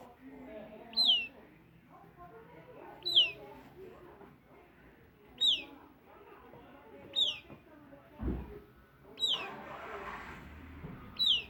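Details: Southern lapwing chick giving thin, high, downslurred peeps, six in all, spaced roughly every two seconds, with soft background rumble and a brief burst of noise partway through.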